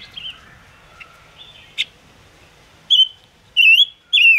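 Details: Ngũ sắc bird song played as a trapping lure: soft faint warbles, then three loud clear whistled notes in quick succession, each slurring downward and then up, with a quiet background.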